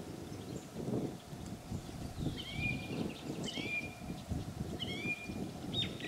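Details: Song thrush singing at Gajary, Zohorský kanál, on 18 April 2024, recorded with a Sony Handycam FDR-AX53: a clear whistled phrase, falling then held level, given three times in a row, with faint other birds and steady low rumble behind.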